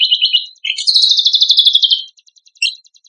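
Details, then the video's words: Black-winged myna in full song, championship bird material: a high rattling trill, a short gap, then a louder rising buzzy trill that slowly falls. It ends with a few faint ticks and a sharp note. "MATERI FULL ISIAN CUCAK KOMBOK GACOR TEMBAKAN MEWAH MASTERAN"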